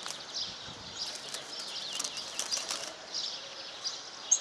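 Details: Song of a European serin F1 and canary hybrid, 75% canary, a one-year-old grey bird kept with a white canary hybrid: fast, high, scratchy twittering phrases running together without pause.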